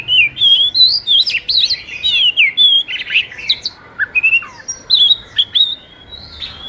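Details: Oriental magpie-robin song used as a training and luring recording for kept birds: loud, varied whistled phrases with rising and falling slurs, sharp chips and short trills in quick succession, with only slight background hiss.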